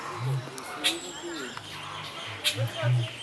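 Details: Captive Blue-billed curassow (Crax alberti) in display at Vogelpark Walsrode, Germany, giving a deep, low bass humming in several short droning bursts. Sharp calls and chatter from other birds fill the background.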